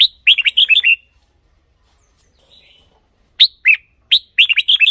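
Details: Song of the red-whiskered bulbul, for decoying or stirring caged birds into excitement: a quick run of bright warbled notes, a quiet gap with a faint buzzy note, then two more lively bursts.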